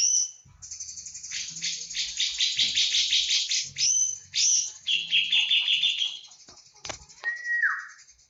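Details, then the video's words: Cucak jenggot from Java in full 'tembakan' style: dense runs of high, rattling twitters, a buzzy descending series, and a clear falling whistle near the end, over a low hum. "Cucak jengot jawa full tembakan"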